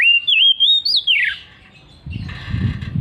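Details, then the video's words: Loud ngeplong song of an Oriental magpie-robin: a chain of strong, clear whistles that wavers high, then swoops downward. This is followed by quieter raspy chatter against rumbling background noise. "KACER NGEPLONG NGOTOT"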